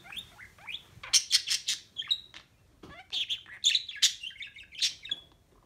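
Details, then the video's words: A pet budgerigar kept indoors and recorded on a phone, chattering in a fast, scratchy warble with squeaky whistled notes and buzzy bursts, mimicking human speech. "Hey There's a bird - #TalkingBudgie"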